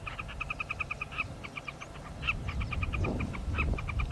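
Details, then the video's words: Several southern carmine bee-eaters in dense African bush at sunset on 25 January 2017 give short, throaty, repeated notes in rapid overlapping chatter, active perhaps because of threatening weather, with wind and low rumbling thunder. "there's so much activity from these bee-eaters. There, you can hear them calling. I wonder if you can hear that."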